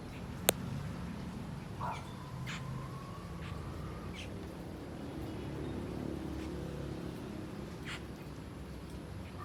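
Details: Feasting on ripe papaya, Asian glossy starlings make a thin, drawn-out whistle that rises slightly, mixed with several short sharp squeaks and one loud click, against low continuous background hum.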